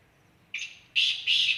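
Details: Black francolin at Khushab: one short harsh note, then two louder scratchy, grating notes close together, cut off at the end.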